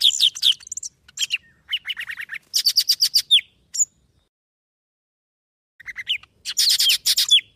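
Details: Golden-fronted leafbird, Vietnam, lure song for bird trapping: fast chattering strings of high chirps and ringing notes in dense bursts, a long silent pause, then another tumbling chatter of shrill twitters.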